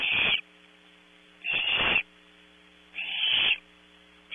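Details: Young barn owls in a nest cavity at Audubon Starr Ranch, California, competing for prey in the night; three rough, broad hissing screeches about 1.5 seconds apart, the last slightly longer, over a faint hum.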